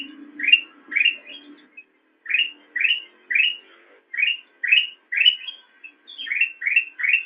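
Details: Song of a black-crested bulbul for training kept songbirds, made of evenly spaced rising chirps, each a quick upward slur, repeated roughly every half second with a brief pause early on; faint low noise at the start.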